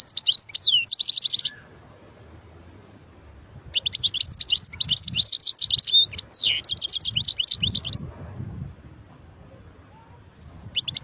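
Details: European goldfinch, described as khlawi, singing beautiful notes: two bursts of rapid, bright twittering and buzzy trills, separated by a pause of about two seconds, then a fresh phrase beginning at the end, over a low steady hum.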